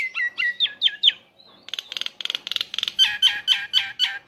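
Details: A male Nias hill myna calling to a female gives five nasal, falling notes, a brief whistle, a rapid burst of harsh buzzy pulses, then five loud, ringing downslurred calls.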